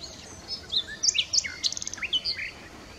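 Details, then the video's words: Nightingale in song: loud high whistled notes, a fast dry rattle of repeated clicks, then rising and falling slurred phrases. "Bülbül 🐦 Nightingale 🐦"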